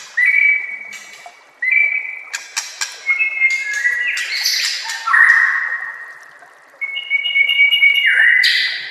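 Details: Master song of a white-rumped shama, meant for training young shamas: clear sustained whistles repeated in bursts, broken by sharp clicking notes and a fuller warbled phrase midway.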